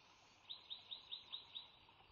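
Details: At the Sauces nest, a bald eagle calls on March 3, 2017, when the resident female lays her first egg of the second clutch. Six high, thin, slightly slurred notes repeat at an even quick pace, faint above a constant hiss.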